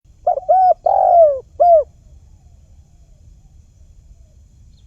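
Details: Spotted dove call used as a lure for trapping birds: a clear, mellow phrase of short coos followed by a longer, falling rolled coo and a final short note, then silence before the next phrase begins.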